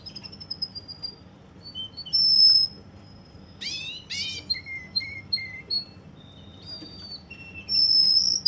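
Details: Russian canary from Kuwait singing: clear high whistled notes and trills, a loud steady held note, a burst of buzzy rising chirps, then short repeated whistles and another sustained high note, with a faint low hum.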